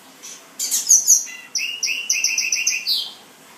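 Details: Black-and-white seedeater, a caged male kept in New Jersey that began singing after moulting, gives a short bright song: a high buzzy opening, then a run of quick repeated twittering notes descending slightly at the end.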